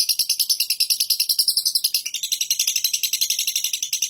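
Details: Lovebird ngekek: an unbroken stream of quick, high, rattling chatter notes at a steady rapid pace, with a slight change in tone halfway through.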